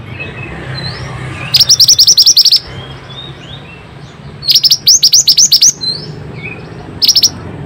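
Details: Pied bushchat in lively full song, used as a lure to get lazy or stressed birds singing. Three bursts of rapid, sharp, high chattering notes, the last very brief, separated by soft, thin whistles from other birds in the background.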